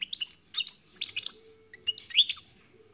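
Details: European goldfinch singing: three quick bursts of bright, tinkling, jumbled twittering notes, each burst about half a second long, separated by short pauses, over a faint steady low hum.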